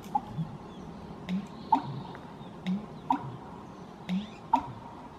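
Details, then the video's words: American Bittern male booming at Pinto Lake County Park, Watsonville, California, on June 16, 2018: deep, hollow gulping notes repeated about every second, low and muffled, with faint sharp clicks between them. "American Bittern male booming"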